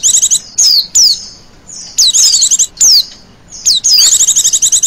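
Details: A female Oriental white-eye gives a lure call. Down-slurred, high whistles alternate with quick buzzy trills, in bursts roughly every second, ending in a longer rattling trill.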